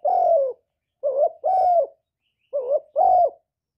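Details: Spotted dove cooing in a clear, low hollow voice, a two-part pattern of short coos each followed by a longer drawn-out coo, repeated twice with brief pauses and no other sounds.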